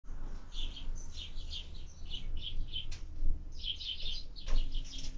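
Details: Sparrow at a feeder on 20 February 2024, giving short bright chirps in loose clusters, some doubled, over steady low rumbling background noise with a couple of sharp clicks.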